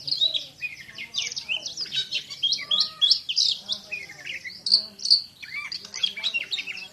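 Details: Champion Oriental magpie-robin (kacer) pours out a dense, varied song of high chirps, piercing whistles and buzzy slurs in irregular bursts, with a faint low hum underneath.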